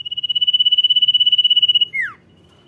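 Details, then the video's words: Cipow, the common iora, in full 'dor nyiul' song: a loud, even, high-pitched buzzy trill of fast pulses lasting nearly two seconds, ending in a single steeply falling whistled note, over faint low rumble. "CIPOW GACOR DOR NYIUL MANTUL"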